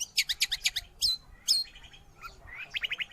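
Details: Long-tailed shrike sound for training pet birds or luring wild ones: a fast stutter of sharp chips, two loud squeaky notes, then soft chattering and quick rising chirps.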